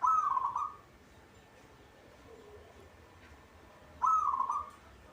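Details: Zebra dove of local stock, caged and singing freely, with two short warbling coo phrases about four seconds apart and near-silence between.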